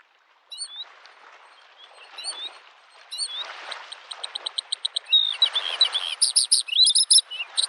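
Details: By a lake in spring, a Bluethroat sings scattered high chirps, then an accelerating string of clicking notes building into loud, rapid, buzzy trills, over the rushing sound of waves on the shore.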